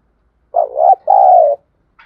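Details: Decoy spotted dove calling to provoke and lure wild doves: a loud, low hooting phrase of a short wavering coo, then one long steady drawn-out coo. Quiet background.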